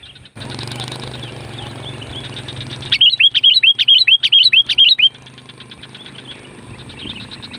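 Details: Sooty-headed bulbul (kutilang gunung) singing loudly as a lure for wild bulbuls: after a low hum, a rapid burst of about a dozen bubbly, warbled notes over two seconds, then fainter chattering.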